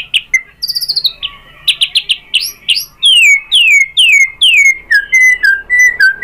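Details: White-rumped shama song used as a lure to provoke other shamas to sing: rapid varied phrases of clear whistles, rising and falling sweeps and quick repeated notes, loud and continuous.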